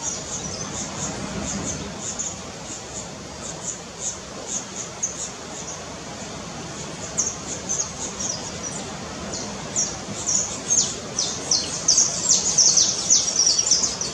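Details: Red-legged honeycreeper recorded around Cumuruxatiba in Bahia, Brazil, giving thin, very high chips that begin sparse and grow denser and louder toward the end, over steady low environmental noise.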